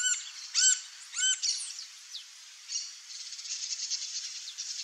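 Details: Female green-barred woodpecker (Colaptes melanochloros) at a nest during the breeding season, giving a few high, arched squeaky notes, then a rapid, continuous run of thin chirps.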